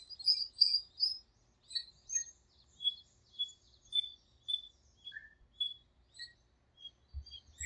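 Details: Birds singing at dawn in a small park during breeding season, early in the rainy season: bright, high chirps and short whistles pulse about twice a second, with one lower downslurred note near the middle and a faint low rumble underneath.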